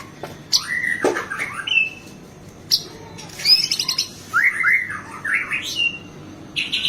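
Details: White-rumped shama singing energetically with many filler phrases, used as tutoring audio for captive birds: a varied mix of high chips, rattling trills and swooping whistled notes in quick, irregular bursts against quiet background hiss.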